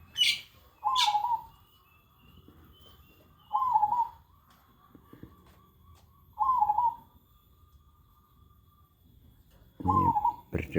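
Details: Zebra dove singing steadily, reportedly all day and unbothered by nearby people: four trilled mid-pitched coos repeated about every three seconds, with brief high chirps from other birds and faint background noise.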